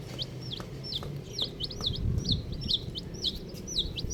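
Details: Several colourful baby chicks cheeping busily: bright, high, bending whistled peeps repeated rapidly, about three per second and overlapping at times, over a low background hum.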